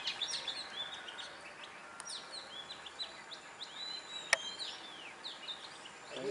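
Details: Oriental magpie-robin singing in the wild: a busy run of short, varied whistled notes, many sliding up or down, with a sharp click near the middle and a steady background hiss.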